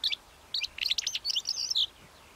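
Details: Short bout of Calandra lark song: a single sharp chirp, a pause, then a fast tumbling string of high twittering and squeaky notes over faint background hiss.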